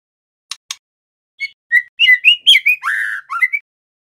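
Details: Young male white-rumped shama learning song: two sharp clicks, then a rising sequence of warbled whistles, a rough buzzy drawn-out note, and closing quick twittering whistles.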